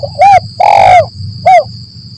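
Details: Spotted dove giving a 'lambung Kuk 1 Mersik' style call, used as a lure by bird trappers in forest: short cooing note, long rough drawn-out coo, then another short coo, over a steady high electronic whine and low hum.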